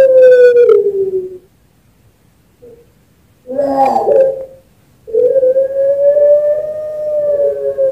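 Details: A Barbary dove (turtle dove kept as a singing bird in Sragen, Central Java) gives low, drawn-out hooting coos, one over a second long and a final one held for nearly three seconds, with a rougher burst between.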